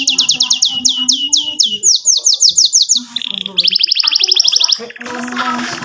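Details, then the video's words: Domestic canary in long lively song, with cuit cuit notes and rolling ngerol phrases, used to coax young birds into singing. Bright downslurred whistles repeat several times a second, then a short buzzy note and a fast high trill, over faint low background sounds. "KENARI GACOR PANJANG CUIT CUIT NGEROL NEMBAK ‼️ Perangsang Kenari Paud belajar bunyi GACOR"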